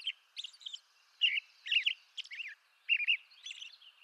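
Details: Eastern North American robin singing faintly over a soft hiss: a few rich, slurred whistle phrases, some doubled, mixed with high, squeaky chips in an uneven rhythm.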